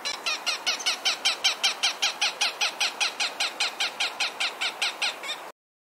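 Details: A Cooper's hawk gives a loud, harsh, steady series of kek calls, about two and a half per second for over five seconds, near its nest in groves of tall trees in suburban yards.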